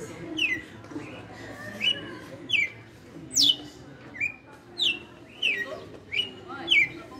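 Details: Red-cowled cardinal, a caged veteran bird kept for five years, singing in the açoite style: clear whistled notes sliding down from high to mid pitch, repeated roughly every second, with faint background murmur.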